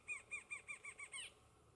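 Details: Rufous-winged antshrike (Thamnophilus torquatus) at Ribas do Rio Pardo, MS, 25 April 2021: a quick series of six nasal, down-slurred notes, about five per second, ending in a harsher rising note.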